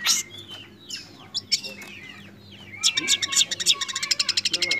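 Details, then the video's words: Young long-tailed shrike with rich mimicked phrases: scattered thin chirps and slurred notes, then a fast burst of sharp repeated notes near the end, over a low hum, with music and speech beforehand. "BURUNG CENDET MUDA BERMATERI MEWAH"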